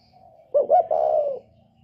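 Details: Spotted dove, northern type, giving a 'còi bổi ghét' call used for provoking birds: one phrase of two brief low notes and then a drawn-out, even coo lasting about half a second.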